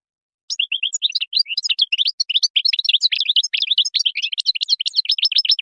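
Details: Moroccan-type European goldfinch song: an unbroken run of quick, bright, tinkling twitters and slurred chirps repeated at a rapid pace for about five seconds.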